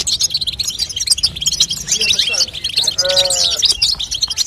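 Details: Female European goldfinch's batbata call, used to stimulate a young goldfinch to sing. Continuous high, rapid twittering carries through. A lower, drawn-out nasal tone breaks in about two thirds of the way through.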